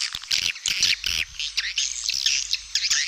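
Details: Edible-nest swiftlet calling sound used as a lure to attract swiftlets to nest sites: dense, high, buzzy chattering and twittering chirps in overlapping bursts, with short gaps between clusters.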